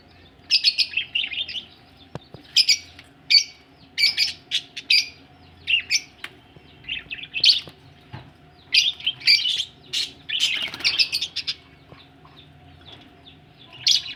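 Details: Budgies ready to lay eggs chirp in short, loud bursts of scratchy, twittering notes, repeated every second or so with brief pauses, plus a faint flutter of wings.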